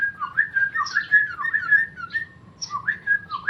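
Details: Sooty-headed bulbul, a tame male, delivering ropel-style song: liquid whistled phrases rising and falling, strung together almost continuously with brief gaps.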